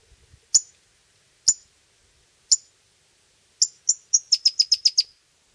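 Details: Pyrrhuloxia chicks, fed by their hand-fed wild father, in Terlingua, Texas, summer 2013–2014, give sharp, high chips, three about a second apart, then a quick run of eight rapid chips; a few soft low thumps come at the start.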